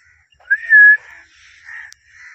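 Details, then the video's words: Blue Indian ringneck parrot kept as a pet, producing a short rising whistle that levels into a sustained pure tone, followed by quieter raspy murmurs. "blue ringneck parrot talking voice Mithu Mithu ki awaz Indian ringneck parrot natural sounds"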